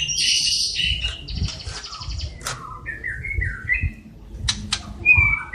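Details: White-rumped shama from Cililin in lively song filled with copied calls of sparrows, fighting lovebirds and kapas tembak: varied chirps, high buzzy bursts and short whistled phrases sliding between notes, with low background rumble.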